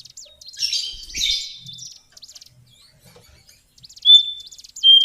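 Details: Lesser shortwing, cingcoang coklat, giving a short burst of high jumbled warbling, then soft faint chips, and finally loud, clear high whistled notes.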